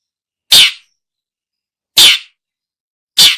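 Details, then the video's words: For luring birds, a long-tailed shrike gives three loud, harsh, rasping notes, each short and broad, separated by gaps of over a second. "Suara burung pentet/cendet cocok buat pikat"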